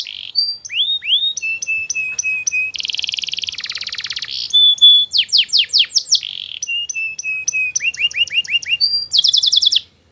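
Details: Canary song used as long-running training material so other canaries answer: a clean, varied sequence of whistled upslurs, rapid buzzy rolls, repeated sharp descending sweeps and quick trills, each phrase changing every second or so, with no other sounds.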